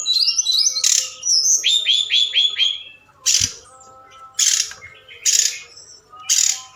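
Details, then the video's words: Forktail lure call at night, aimed at getting other birds to answer: a cascade of chirps and repeated downslurred whistles, followed by harsh buzzy bursts about once a second. "Tledekan Gunung Gacor Malam || Suara Pancingan"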